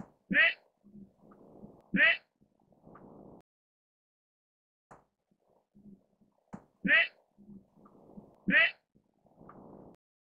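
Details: Albino mandarin duck giving four loud, brief, bright calls in two pairs, each pair about 1.6 seconds apart, with soft low grunting and rustling between them and a quiet pause midway.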